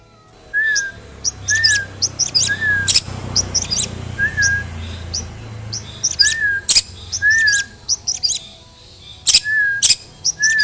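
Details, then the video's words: Long-tailed shrike with mimicked song material, used as a lure to make other shrikes sing: short slurred whistles repeated about once a second, mixed with sharp, high ticking chirps and brief bright trills. "CENDET ISIAN GANAS Pancingan Ampuh Burung Trotol Gacor"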